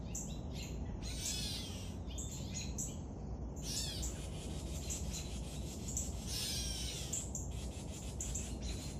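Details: Young woodpecker during feeding, producing two long intense bouts of shrill rasping chatter with quieter scattered squeaks between, over a low continuous rumble.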